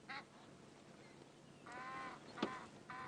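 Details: A pair of Egyptian geese in a morning "conversation" at sunrise on 19 August 2016, trading harsh honking calls in short bursts with one long drawn-out note (female honks, male hisses), amid quiet background wildlife including lapwings.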